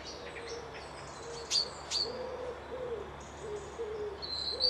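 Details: Lochside birdsong at Piperdam Lodges, Dundee: soft, low, hollow notes repeated in a loose series under a couple of sharp high chirps and a thin high whistle at the close, set against a quiet constant hiss.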